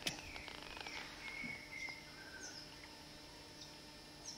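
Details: Young grey shrike-thrush in a garden at Renmark, South Australia, one morning, a wild bird used to hand feeding: a few short clear whistles near the same pitch, then a softer falling note, over faint high background chirps from other birds.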